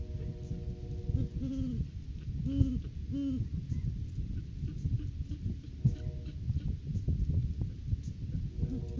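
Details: Great Horned Owls in courting season at their nest tree, January 9, 2023, recorded by live camera during a rodent food-gift visit; three deep hoots in a row early on, with a faint steady tone and low rumble.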